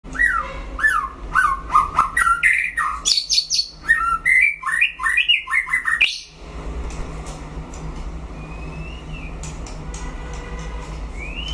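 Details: White-rumped shama in a solo singing duel; loud clear whistled phrases, rising and falling notes repeated in quick sequence for six seconds, then quieter distant chirps against a low hum.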